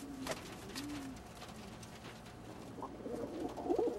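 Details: Old German Owl pigeons, males fighting over females, with soft low coos and short murmuring calls plus scattered clicks and wing or foot noises, growing busier toward the end.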